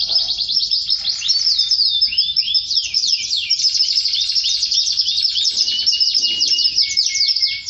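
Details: Canary singing to its female, which it mates with after hearing this song; a dense, fast run of high trills and rolling chirps, with rapid sweeping notes throughout and no pause.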